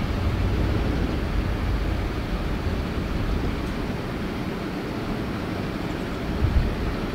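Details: Constant heavy roar like an aircraft or engine, filling the whole recording, no animal calls.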